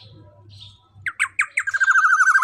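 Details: Juvenile black-naped oriole giving several rasping, squawky notes that run into a buzzy, steady nasal trill, with a faint low hum before the bird starts.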